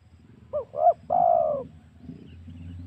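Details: One spotted dove phrase, played as a hunting lure to excite wild doves: two quick bent coos, then a long smooth coo sliding downward, with low background rumble.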